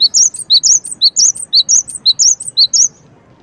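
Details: Cinereous tit (gelatik batu) giving a loud, rhythmic run of high paired chirps, a lower note then a higher bent one, repeated steadily for about three seconds.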